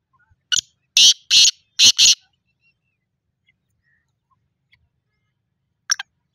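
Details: Black francolin giving its harsh, rasping call: a short clipped lead note followed by three loud grating notes in rapid series. A long pause follows, then one brief sharp note near the end.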